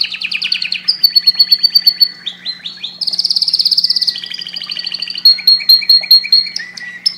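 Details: Loud canary song for breeding stimulation, a mix of fast rattling trills, a long high whistled note, a very rapid buzzing roll and clipped repeated chips, with a faint hum in the background.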